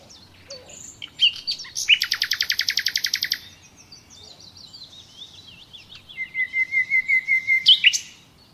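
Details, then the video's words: Natural Common nightingale song: a rapid burst of about sixteen hard, chattering notes, slurred whistles, then a long run of even, high repeated notes. "Doğal Bülbül Sesi"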